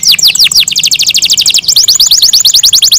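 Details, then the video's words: Morning singing of a kept canary: dense, rapid, repeated sweeping whistles throughout, a fast rolling rhythm with a brief change of phrase midway. "MORNING SONGS OF CANARIES IN THE MORNING"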